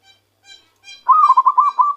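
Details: Zebra dove caught by luring and starting to sing with its own voice: three faint ringing, harmonic notes come first, then a long rolling coo of about seven quick pulsed notes at a steady pitch.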